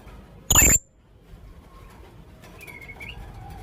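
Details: A calling young blue-crowned hanging parrot on a lure track gives one sharp, shrill high note. A thin, drawn-out, slightly rising whistle follows after a pause.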